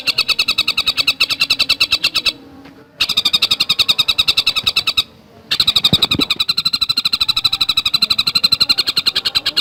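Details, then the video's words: Javan cuckooshrike, known locally as tengkek buto, in a fast, tightly packed training song: rapid harsh notes repeated in long bursts, broken by brief silent cuts. "Masteran Burung Tengkek Buto Gacor Speed Rapat"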